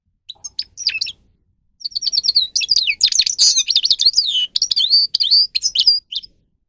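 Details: Singing grey-crowned goldfinch: a few opening chirps, a short pause, then a long rapid, high twittering stream of tinkling and slurred notes, with sharp clicks and buzzy elements mixed in.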